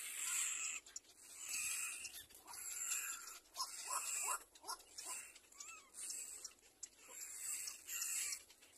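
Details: Little black cormorant chick learning to clean itself; hoarse, raspy squealing calls repeated roughly once a second in uneven bursts over a constant high hiss.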